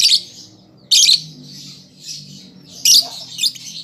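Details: Young lovebird practising song: a few loud, harsh squawking bursts about a second apart, linked by softer wheezy buzzing notes.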